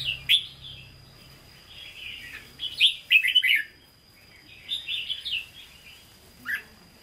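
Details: Red-whiskered bulbul kept in a cage, singing in the standard Hue style ('hót ché'), gives several separated phrases of quick, liquid warbled notes. Short pauses fall between phrases. A thin constant high whine runs throughout.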